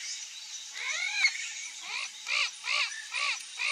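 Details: A wild, free-living Rufous-bellied thrush (Turdus rufiventris) sings short, slightly husky arched notes, about one every half second, over a steady high insect hiss.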